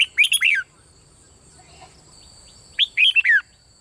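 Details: Caged red-whiskered bulbul from Thailand singing a bubbling phrase in the local riik style, played to stimulate other birds to sing: two short bursts of three or four chirpy, swooping notes, about 2.5 seconds apart, with a faint steady hum.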